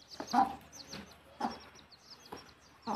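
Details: Hen leading her chicks to the nest to roost, giving a few spaced, soft clucks while the chicks keep up high, thin peeping throughout.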